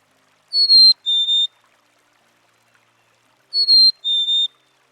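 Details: Black-capped Chickadee, a small resident of northern USA and Canada forests and backyards, whose vocalizations serve communication and individual identification: a clear two-note whistle, higher note then slightly lower, given twice about three seconds apart in silence.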